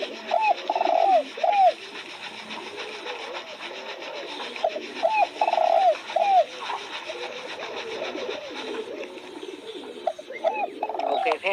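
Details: Repeated spotted dove coos: several phrases of quick hoots and a stretched, soft coo ending in a brief note, coming every few seconds. Steady twittering of other birds fills the background.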